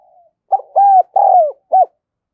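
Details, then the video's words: Decoy spotted dove with the 'đồng son' voice style, calling to lure wild doves. One phrase of four low coos: a short note, two long arched notes, then a brief closing coo, with no other sounds. "Chim Cu Mồi Giọng Đồng Son gáy Gọi, Kích Bổi Cực Nhạy"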